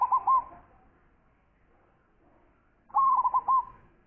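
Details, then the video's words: Perkutut lokal, a local zebra dove described as a prize-winning singer with a big voice, delivers two rolling, bubbling coo phrases about three seconds apart, each broken into several rounded notes at the same low pitch. "Perkutut Lokal Gacor Suara Besar"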